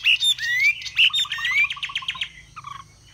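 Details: Chinese hwamei in a cage in Vietnam, displaying with fanned feathers and singing high: bright pure whistles, then a run of evenly spaced sharp downslurred notes fading into a low soft trill.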